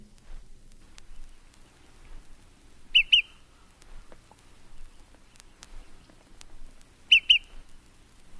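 An Olive-sided Flycatcher gives two loud whistled songs about four seconds apart, each a quick clipped note followed by two higher slurred whistles, over a quiet background.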